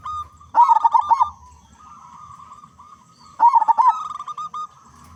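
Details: Local zebra dove with a big voice, used as a lure for other doves: two loud bursts of fast, bubbling, stuttered cooing about three seconds apart, with a soft sustained hum of mellow notes between them.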